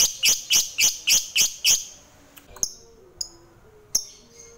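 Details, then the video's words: Lovebird, an Indonesian fighter type, heard in a quick burst of six shrill, evenly spaced chips, followed by scattered faint clicks and two or three isolated sharp notes. "DENGAR SEBENTAR SAJA, Segala Jenis LOVEBiRD Bakal Terpancing, Emosinya Naik FIGHTER Lanjut NGEKEK"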